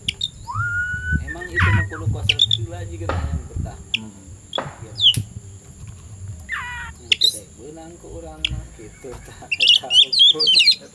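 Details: Oriental magpie-robin (kacer) in the afternoon, ready to fight a rival, sings a busy mix of whistled slurs, sharp high notes and harsh buzzy phrases, ending in a fast chattering run, with voices talking in the background.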